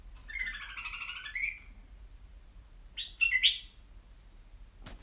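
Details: A white-eared bulbul in a cage gives a rolling warbled phrase of about one and a half seconds, then a short loud chattering burst, ending with a sharp click.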